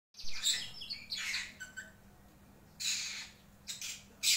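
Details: Lovebird singing a full 'isian' song without ngekek or ngetik: harsh, squeaky chirps and high, scratchy bursts in several spaced outbursts, with a faint steady low hum behind.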